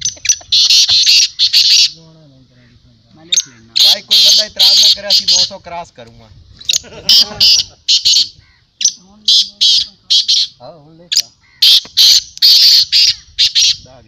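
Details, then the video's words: Black francolin at a 2022 calling tournament gives harsh, grating, high-pitched calls in rapid bursts, with men talking over them. "Kala Teetar ki Chakri Black teetar voice tournament Black Francolin voice"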